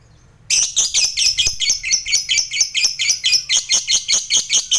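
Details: Lovebird's fast ngekek chatter, meant to make fighter lovebirds respond: after a brief silence, a dense, shrill, rattling stream of rapid chirps runs without pause.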